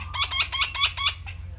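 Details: Harsh, raspy squawks of a Red-breasted parakeet, a Thai resident parrot absent only from the south: five rapid grating notes about a fifth of a second apart, then a softer trailing note, over a steady low background hum.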